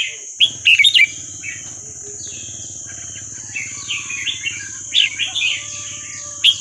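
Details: Red-whiskered bulbul, Burmese song style played to young birds: a few sharp chirped notes early and soft warbles later, over a steady high whine and low humming noise.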